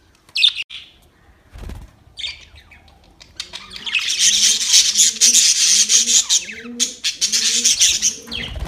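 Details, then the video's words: Budgerigars playing: a few isolated squeaky notes, then a long continuous stream of rapid, buzzy high chatter over repeated low cooing that rises and falls in even phrases. "Budgies chirping sounds and playing budgies"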